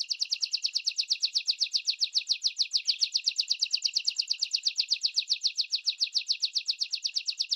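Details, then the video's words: Canary delivering a long, steady, rapid trill of identical high chirps, evenly repeated many times per second without a break. "OS 3° MELHORES CANTOS DOS CANÁRIOS"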